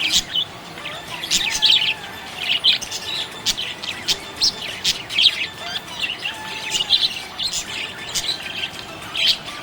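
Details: Cheerful budgie chatter: bursts of high twittering and clicking chirps roughly every half second, mixed with brief sliding whistles, several birds calling at once without pause.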